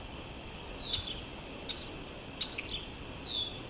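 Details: Red-winged blackbirds sitting in a backyard maple tree, recorded on an iPad: high, descending slurred whistles repeated about every two and a half seconds, with short sharp clicks and buzzy notes between.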